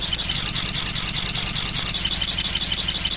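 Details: Sogok ontong sunbird in a lure and master recording meant to get birds to sing, mixed with konin-style song fill. A high, rapid buzzy trill of pulsed notes repeats steadily about two or three times a second, with a low rumble beneath.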